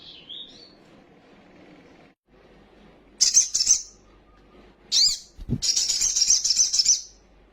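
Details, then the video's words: Lure song of a sunbird, a raw bird, meant to rouse other sunbirds to wing-fluttering agitation. A thin twisting whistle, then sharp high chips, then a long dense trill of about two seconds; a low thump occurs midway. "PANCINGAN BURUNG KOLIBRI SOGOK OTONG BAHAN CEPAT EMOSI BUNYI FULL ISIAN SOGON NGELEPER"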